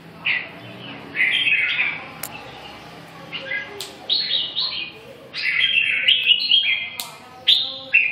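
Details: Red-whiskered bulbul song: bright, warbled phrases of short rising and falling notes, given in bursts with brief pauses and a few sharp clicks between them.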